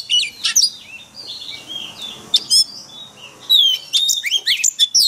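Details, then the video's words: Forest-voice song of an Oriental magpie-robin, used for daily training of caged birds. Bright whistled notes and sweeping slurs come in short bursts, separated by brief quiet gaps, then a faster cluster of sharp notes. "Luyện chòe than hót giọng rừng mỗi ngày MASTERAN KACER"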